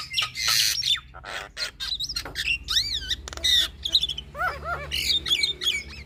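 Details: Female Javan myna pours out busy mixed song: noisy hissing bursts, arching whistled phrases and nasal, goose-like squawks in a fast, unbroken jumble.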